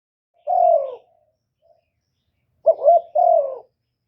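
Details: Kept decoy spotted dove cooing to stir and lure wild doves, recorded close with no background noise: one drawn-out, falling coo, a pause of about one and a half seconds, then a short two-part coo and another long falling coo.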